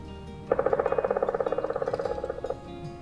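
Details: Black woodpecker (Dryocopus martius) drumming: a fast, even roll of about thirty strikes over two seconds, like machine-gun fire, fading slightly at the end, over a faint steady hum.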